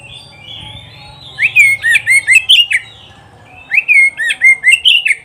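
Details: Oriental magpie-robin song for training pet birds to sing: two bursts of rapid, loud whistled and clicking notes, about eight notes each, separated by a brief pause, over a faint low hum.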